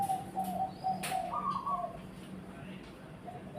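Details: Zebra dove song: soft tonal coos repeated in a quick staccato series, a brief higher cooing phrase midway, over a steady low hum and faint background noise.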